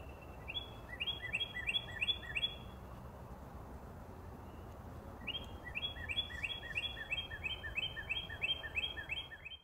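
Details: Northern cardinal giving two rapid trills of short, sharp, repeated notes, the second run longer, separated by a pause, rather faint against background hiss.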